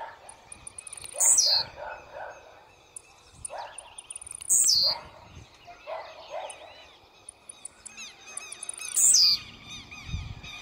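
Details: Blue-black grassquit singing very aggressively: three loud, high, buzzy phrases that drop sharply in pitch, roughly every four seconds, with softer twittering calls from other birds between them.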